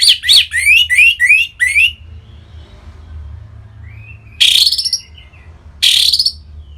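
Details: Song of an orange-headed thrush kept in North Bali, used to prompt other birds to sing: a rapid string of rising whistles, a quiet pause with faint notes, then two loud buzzy chattering bursts.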